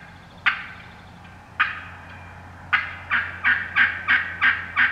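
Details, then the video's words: Wild turkey hens in the woods, yelping on their own with no hunter calling: three widely spaced harsh notes, then a fast even series of six yelps rising in strength near the end. "Wild Turkey Hens Cutting Yelping and Calling"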